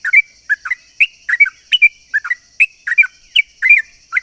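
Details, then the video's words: Sooty-headed bulbul singing a long rapid lure song to attract other bulbuls: continuous run of short liquid, warbled notes, paired and tripled, about four per second, with a constant high-pitched hum behind. "pancingan burung trucuk gacor ropel panjang ini bikin semua burung trucukan yaut seketika"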